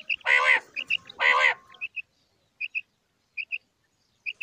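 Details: Common quail (Coturnix coturnix) gives two harsh, nasal, growling notes, then quick, sharp, high paired clicks repeated about once a second.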